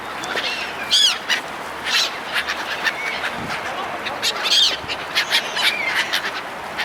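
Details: Gulls being fed by people, separate loud arching squawks about every second or two, with softer calls from other gulls in between.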